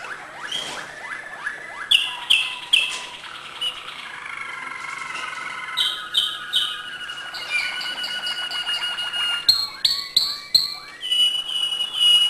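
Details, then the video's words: Malinois canary singing acute notes: varied phrases of rising sweeps, bright high notes, long level whistled trills and rapid chips, changing every few seconds. "malinois singing acute notes"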